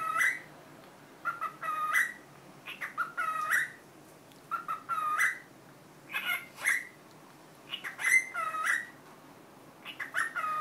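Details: Pet cockatiel mimicking the Korean greeting 'annyeong': whistled, wavering phrases that dip and rise, grouped in twos and threes with brief pauses, steady and tonal, in a still indoor setting.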